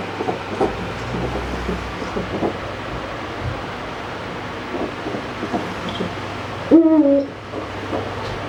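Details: Eurasian eagle-owl kept in captivity, one brief falling hoot near the end after several seconds of indoor rumble and faint clatter.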